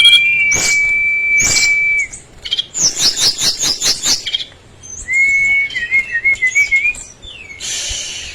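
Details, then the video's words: Brown-chested jungle flycatcher singing with rapid delivery and fill phrases: a long steady pure whistle, then a fast run of about eight sharp repeated notes, a wavering warbled whistle, and a final noisy burst. "Kumpulan Kicauan SRDC Gacor Nratak Nembak Isian BIKIN EMOSI Lawan"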